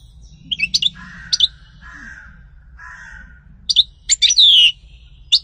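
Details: European goldfinch giving scattered bright chirps and a few twittering notes, with lower husky, drawn-out phrases between them and long gaps of near silence.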